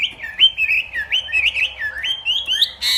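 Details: Northwest Vietnamese hwamei in morning contest song: a steady series of looping, rising-and-falling whistles, each about a quarter second long, followed by a sharp noisy burst at the end.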